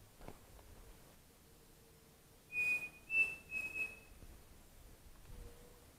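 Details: Pavonine cuckoo in the Mato da Capela woods at Bozano, Rio Grande do Sul, Brazil, on a foggy morning: a short phrase of high, clear whistled notes, the first held, the next ones briefer, over faint background hiss.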